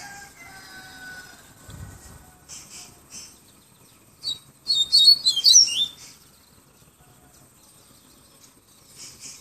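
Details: Yellow-bellied seedeater, recorded in Salvador, Bahia, giving a short, rapid run of high twittered and slurred notes near the middle, preceded by faint background tones and low room noise.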